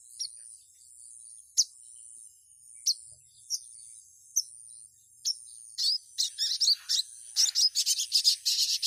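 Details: Female ruby-cheeked sunbird calling to males: thin, high, sharp chips, spaced at first, then quickening into a rapid twittering run, over a steady high insect-like hiss.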